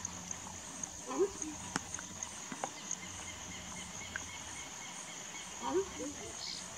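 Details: Two brief, low honking notes from a horned screamer (Anhima cornuta) at Silva Jardim, about four seconds apart, over a steady high insect hum.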